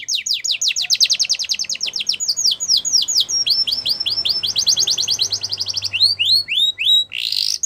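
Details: Yorkshire canary performing a training song for young canaries: rapid trills of steep falling whistles, slower looping sweeps midway, another fast trill, ending in a buzzy burst over a soft background rumble.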